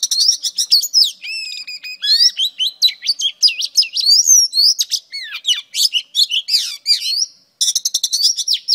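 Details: Female oriental magpie-robin singing to stir up males: a rich, fast run of clear whistles, sliding notes and rapid chattering trills, high-pitched and constantly varied, with brief pauses between phrases.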